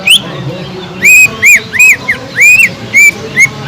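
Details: Sumatran leafbird (cucak ijo) song used as a lure for listless birds: drawn-out arched whistles, some long and sliding, spaced roughly half a second apart over a faint background murmur.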